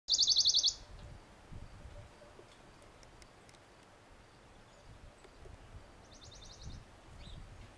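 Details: A Western Bonelli's warbler (Phylloscopus bonelli) at Camorritos, Cercedilla, on 17 May 2008 sings a loud, dry, rattling trill of about ten quick high notes, then a fainter trill six seconds later, over a low rumble of wind.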